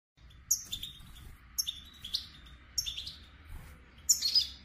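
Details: Goldfinch singing: short, bright, high-pitched twittering bursts with quick downslurred and buzzy notes, about four phrases roughly a second apart, the last a denser tinkling trill, over a faint low hum.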